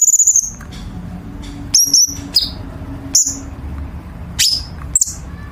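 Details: Chinese bulbul training song for contest birds, with sharp 'tembakan' bursts. A stuttered high whistle opens, then scattered quick chirps and slurred notes follow over a quiet low hum.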